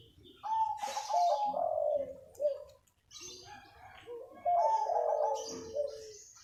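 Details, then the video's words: Zebra dove (local perkutut) singing in the early morning: soft, mellow cooing phrases of rolling, slightly trilled notes, two bursts a few seconds apart, with faint chirps and rustling behind. "Masih pagi MANGGUNG,Suara burung perkutut lokal alam gacor"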